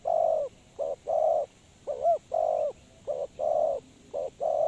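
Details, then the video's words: Trapping decoy spotted dove delivering soft, low coos in quick short-then-long couplets, broken once by a wavering rounded note, in an otherwise quiet setting. "Suara Terkukur Pikat Tua"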